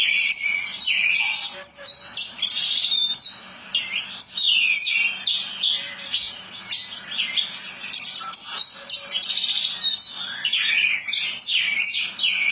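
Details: Branjangan, the Javan bush lark, in full rolling song, an energetic stream of high sharp chirps, rattles and swooping whistles, briefly dropping off near four seconds before resuming strongly.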